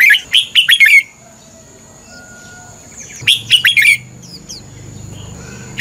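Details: Red-whiskered bulbul in competitive song, used as a lure to train and stimulate other bulbuls, giving two bursts of bright, bubbly chirping notes about a second each, separated by a short pause; faint steady high hiss underneath.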